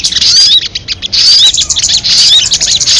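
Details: Crested jay uttering harsh, high chattering bursts topped with short upslurred whistles, about three loud bursts with quieter gaps.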